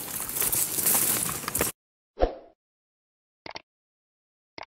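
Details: Loud crackling, rustling noise gives way to silence broken by a dull thud and two short clicks, with no animal voice.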